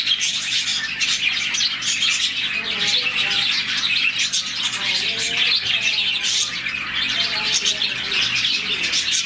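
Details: Roughly 40 budgerigars in a colony chirp in the morning, a happy sound; busy overlapping high twittering with a few lower, warbled notes mixed in midway through the flock chatter.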